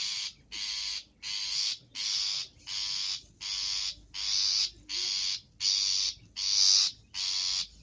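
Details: Long-tailed shrike in a training recording full of varied song content: a steady series of eleven grating, rasping notes, each about half a second long, repeated at a regular beat.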